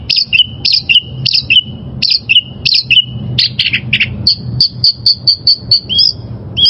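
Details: Song of a wild oriental magpie-robin: a two-part whistled phrase, high then lower and drawn out, repeated about five times, then a string of clipped high notes in an even series. Low rumbling background.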